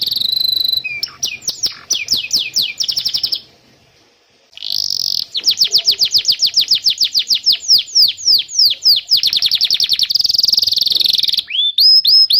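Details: Extended canary song for training young canaries and prompting silent birds: alternating fast trills and series of downward-sweeping whistles, a brief silent gap, then more rolling trills and rising whistled notes.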